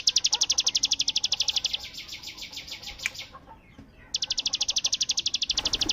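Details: Bar-winged prinia delivering 'bren' song, compared to AK47 gunfire: a fast volley of high staccato notes for almost two seconds, then a pause with faint chirps, then another rapid high burst.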